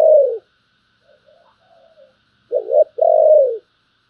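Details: Spotted dove cooing in the thổ voice style: one downward-sliding coo, a few faint soft notes, then a brief note followed by a long, slightly wavering coo that falls away at the end.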